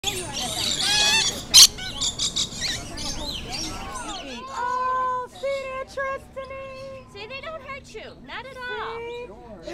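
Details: Rainbow lorikeets in a zoo aviary where visitors hand feed them give harsh, shrill screeches and chatter over the first four seconds, then people talk over scattered bird notes.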